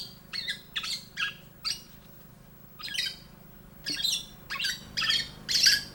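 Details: Male black-naped oriole in breeding season, when males call to attract females, giving harsh, nasal, mewing squawks, about two a second in loose bursts, over a faint low hum.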